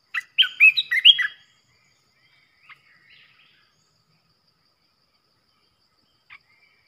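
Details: Aggressive decoy Red-whiskered bulbul singing to provoke rival bulbuls: a brisk, liquid phrase of four or five chirpy warbled notes, followed by long quiet broken only by a couple of soft isolated notes.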